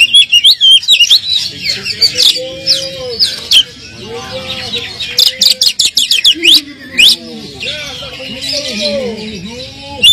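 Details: Kacer (Oriental magpie-robin) provoking song for a bird lacking fighting spirit: busy high chirps, slurred whistles and rattling bursts, with steady lower voice-like tones running through the second half.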